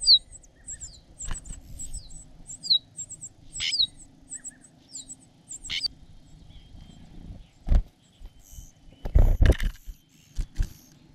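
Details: Parasitic cuckoo chick begging for food from its foster parents, opening its mouth to grab food: thin, very high double notes repeated about twice a second for six seconds, then loud low bumps and rustling.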